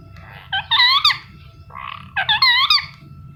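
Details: Indian ringneck parakeet giving two runs of buzzy, wavering chirps that rise and then dip. Each run opens with a softer note and ends in louder nasal squawks. A faint steady hum runs underneath.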